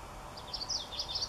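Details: A common yellowthroat at Daly Point gives a brief run of quick, high chirpy notes that rise and dip over about a second, above a steady background hiss.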